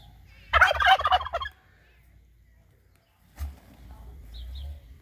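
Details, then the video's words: An angry turkey gobbles loudly: a fast, rattling run of throaty notes lasting about a second, followed by silence and then a short low thump and soft rumbling noise. "Angry turkey"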